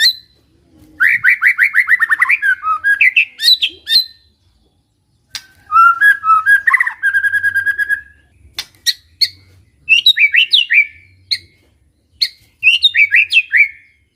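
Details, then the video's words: Village white-rumped shama singing energetically: rich varied whistled phrases, rapid warbled runs and sharp high notes in bursts separated by short pauses. "MURAI BATU KAMPUNG GA SANGKA NGAGETIN SUARANNYA GACOR"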